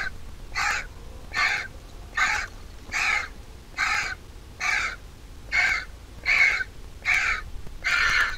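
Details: Steady begging from a vulture nestling being fed in the nest by its mother, about eleven rasping, hoarse calls evenly repeated roughly once per second, faint background hum.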